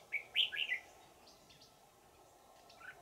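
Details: Wild red-whiskered bulbul from the forest, caught with a decoy on 20 December 2018 in Vietnam; a quick, loud trio of bright whistled chirps, then fainter notes and a final soft call.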